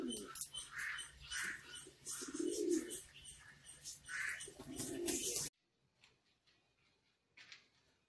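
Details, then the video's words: Australian pigeon producing a couple of low, drawn-out coos over steady high chirps from other birds, then the sound drops away to near silence with faint chirps. "ஆஸ்ட்ரேலியன் புறா | Austrilan Pegion"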